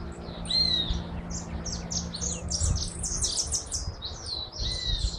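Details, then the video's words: Hooded siskin (jilguero argentino) delivering a long, rapid song of high buzzy trills and twittering chirps, opening and closing with a clear whistled slur, over low rumbling background noise. "Jilguero argentino"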